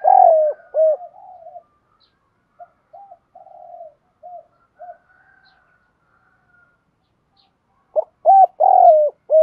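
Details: Spotted dove cooing, male and female, used to stimulate doves in training: loud arched coos around one second opening and closing, separated by a long stretch of soft, quieter coo notes with near silence between.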